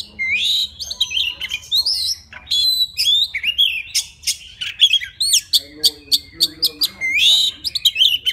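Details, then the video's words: Forest White-rumped Shama singing to call a female, pouring out a rich, varied stream of clear whistles, slurred rising and falling phrases and sharp chips with few pauses. "Tiếng choè than rừng hót gọi mái"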